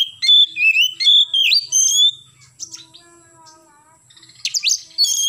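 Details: An oriental magpie-robin sings in the morning in the fast 'nembak' style, pouring out wavering whistles and sliding notes, then falls quiet before returning with sharp chips and whistles.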